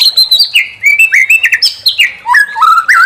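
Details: White-rumped shama song used to provoke another bird into singing its full repertoire: a rapid run of clear whistled phrases, sliding downward in steps from high to lower notes, each note brief and varied.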